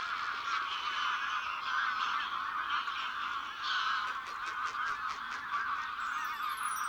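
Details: A large flock of migratory wild geese at the Villafáfila lagoon in Spain, which now holds nearly 23,000 geese, gives a constant, overlapping chorus of nasal honks, many birds calling at once without pause.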